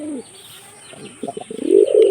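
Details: Hunting-trained pigeon in Jessore, Bangladesh, giving a brief low cooing call that swells at the end after a short quiet stretch, with faint rural background noise.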